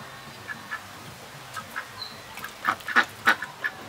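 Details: Juvenile mallard ducks giving short scattered quacking calls, mostly quiet at first, then louder clustered calls near the end, with a brief whistled note in the middle.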